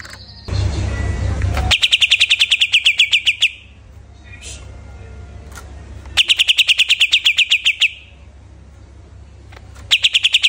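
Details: ['Greater green leafbird just after finishing its moult, giving rapid bursts of sharp chattering notes, about three or four a second, in phrases of roughly two seconds separated by pauses; a loud noise burst opens the recording.']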